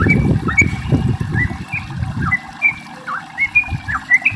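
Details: Sooty-headed bulbul song, a lure meant to prompt other bulbuls to sing: short, slurred whistled notes at a steady mid pitch, spaced irregularly over low rumbling background noise.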